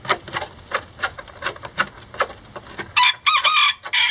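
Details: Lavender Bantam miniature roosters and a hen building a nest together: three seconds of dry scratching and rustling clicks, then a short run of harsh, nasal chicken calls with a ringing, crow-like tone.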